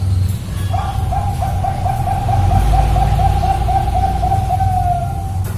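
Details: Zebra dove of the Bangkok type, played to get other birds singing, giving a steady run of quick pulsed cooing notes on one pitch for about four and a half seconds over a loud low rumbling background.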